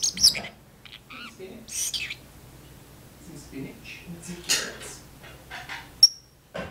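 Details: Caged pet parrotlet talking indoors in a kitchen while its owner washes dishes; scattered short, high-pitched squeaky word-like bursts with quiet gaps, and a sharp click near the end.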